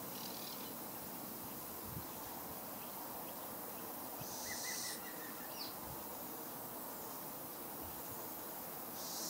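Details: Little owl fledgling uttering breathy hisses spaced several seconds apart, with a faint short chirping from another bird in between.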